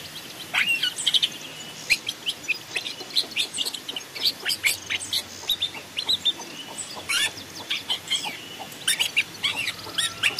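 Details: Long-tailed shrike singing in forest, used as a decoy and master for training: dense, rapid chattering of clicky and scratchy high notes mixed with brief whistles, running almost nonstop.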